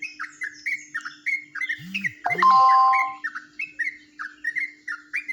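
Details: Yellow-vented bulbul from Jombang singing in the ropelan style, which differs from the usual bulbul song: quick chirpy downslurred notes repeated several times a second, broken midway by a loud, harsh, sustained squawk-like burst, then the rapid notes resume.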